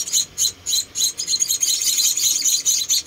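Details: Tiny rescued munia chicks at feeding give a near-continuous stream of high, thin chirping, a few separate notes at the start.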